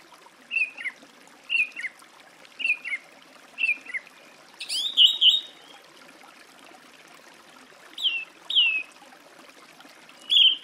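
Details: Song thrush singing: a phrase of four similar whistled notes repeated about once a second, then a brighter, higher, more complex burst and two further paired notes, with a soft trickle of water behind.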